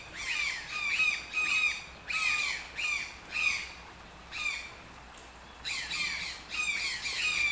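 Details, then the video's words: Toucan calling in clusters of harsh, croaking squawks about every half second. A longer pause falls in the middle before the calls resume in a tight, emphatic burst. "TOUCAN SOUNDS - Toucan Sound Effect"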